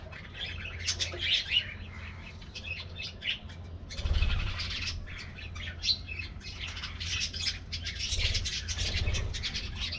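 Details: An aviary flock of colorful budgies given a morning treat keeps up a continuous warbling chatter of short high chirps, with a louder rustle partway through and a constant low hum in the background.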